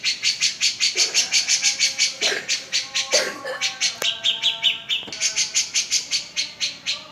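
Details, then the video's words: Cica jenggot singing continuously, used to coax silent birds into song: rapid even high chips throughout, with a few sharp clicks and knocks in the background. "Suara cica jengot gacor"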